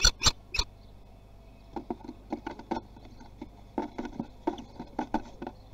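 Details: Common kestrel young at Théding, 24 June 2020, trying their wings: three sharp, piercing calls in quick succession open the recording, followed by a long run of soft scratching and pattering as the birds shuffle about.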